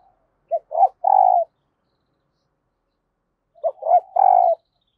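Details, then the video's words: Caged spotted dove used as a decoy, cooing to lure new wild birds: two three-part phrases about three seconds apart, each a short note, a swelling note and a long even hoot. "Tiếng Chim Cu Mồi THÚC và GÁY GỌI Bổi Mới, Mở Là Gáy"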